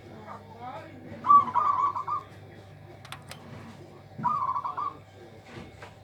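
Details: Local zebra dove with a big, loud voice said to leave rivals speechless, giving two trilled cooing phrases, each about a second long and three seconds apart, over a steady low hum and a few sharp clicks.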